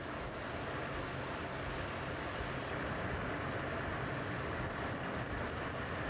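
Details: Common kingfisher giving its cry: thin, piercing, brief high whistles, repeated in short runs as it does when excited, early and late in the clip, over a steady rushing background like flowing water.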